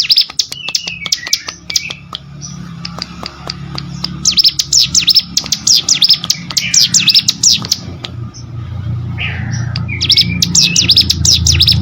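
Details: Hill prinia song used as training audio for competition songbirds: rapid series of high, sharp down-up chirps in bursts, with a brief rising note near the end and a low steady hum underneath.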